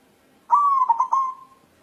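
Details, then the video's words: White zebra dove of local stock seeking a partner gives one clean coo: an even held tone that breaks into three or four quick bubbling beats before fading, with a quiet background. "Perkutut putih galau mencari jodoh"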